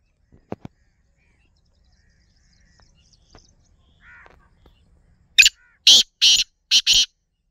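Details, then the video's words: Black francolin calling: after a few faint clicks and soft sounds, five loud, harsh, grating notes burst out in rapid succession over the last two seconds. "kala Teetar ki awaz - Black francolin"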